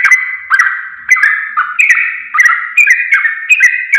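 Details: Sooty-headed bulbul song used as a training recording for caged songbirds: a dense run of bubbly, fluty phrases about every half second, each stepping up or down in pitch, with sharp clicky onsets and no other sounds.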